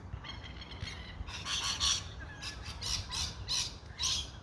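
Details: A Rainbow lorikeet in Australia gives harsh, grating screeches, about two per second, over a low background rumble.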